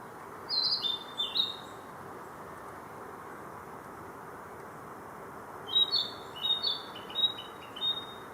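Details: Brown dipper singing by the upper Asakawa river at Takao, on the outskirts of Hachioji: short bright chirps and trills in two spaced phrases over a steady rush of flowing water.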